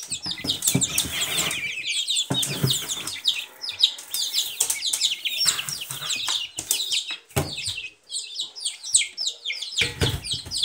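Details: Silkie chicks peeping together in a busy chorus of high, short, downslurred cheeps, overlapping rapidly, with a few broadband rustling or thumping bursts from handling or movement.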